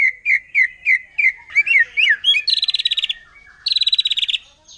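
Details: Wild white-rumped shama from forest, singing to provoke other shamas: a string of repeated whistled notes, then quick slurred phrases and loud rapid buzzy rattling bursts.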